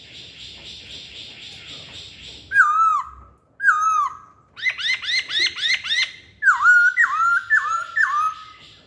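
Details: Masked laughingthrush lure song: a soft buzzy hum, two loud downslurred whistles, a rapid series of arched chattering notes, then a run of falling whistles.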